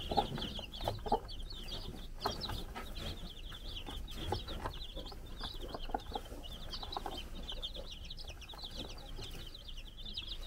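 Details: Four-day-old baby chickens on a farm in the Czech Republic, running around under a brood hen's watch; dense high peeps, many chicks overlapping in continuous chirping, with low scratching and rustling below.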